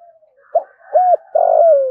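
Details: Spotted dove giving a fight-provoking luring call: low hooting coos, a short clipped note, then a longer even coo and a drawn-out, slightly vibrating note sliding downward at the end. No other sounds.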